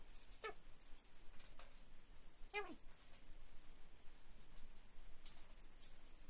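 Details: A female Vosmaeri eclectus parrot, wanting a treat she can't reach, gives two short, nasal, downslurred whining calls about two seconds apart, with a few fainter notes and a low room hum.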